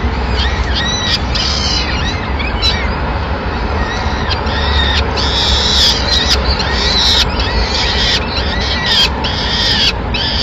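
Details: At a Madrid nest on 26 April 2016, the male peregrine falcon delivers the day's first meal, a small bird shared among the chicks; harmonic, downturned whining calls repeat in quick series, about one a second, over city traffic noise.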